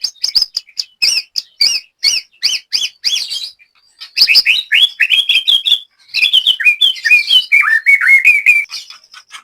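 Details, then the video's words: White-rumped shama kept in a cage for song training in Banyumas, Central Java, Indonesia; repeated paired high whistles with clicks, then a fast run of varied rising slurs and descending notes. "BURUNG LATBER MURAI BATU JAMBRET"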